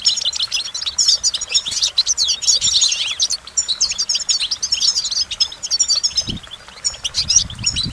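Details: An energetic goldfinch sings a long, dense stream of twittering, buzzy trills and sharp chirps, slackening near the end, with a few soft low thumps.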